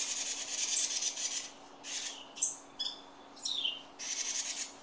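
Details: Parent birds scolding protectively at a person in a garage while their three fledglings leave the nest: rapid, harsh, raspy buzzing bursts alternating with short high downslurred notes, with a faint steady hum.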